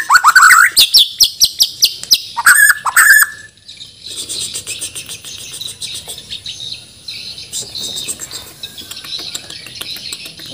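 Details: Banjar-bred Bornean white-rumped shama in heavy contest-ready song full of imitations: loud rising whistles and fast repeated notes for three seconds, then quieter, rapid, buzzy chattering that continues to the end.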